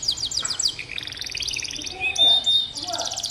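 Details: Canary song meant to coax young canaries that rarely sing: quick rattling trill of high repeated notes, then a thin pure whistle and softer mixed chirps toward the end.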